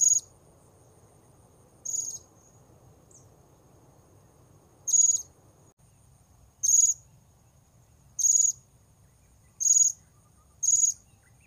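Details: Blue-crowned hanging parrot calls used to lure wild birds at Port Baru: thin, very high, sharp single notes spaced irregularly one to three seconds apart over faint low rumble.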